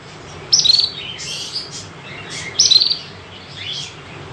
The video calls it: Canary birds singing